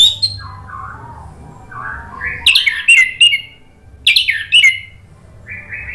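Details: Orange-headed thrush song used to prompt birds to reply: lower warbled notes building into sharp, rich whistled bursts with rapid slurs, repeated twice, over a steady low hum.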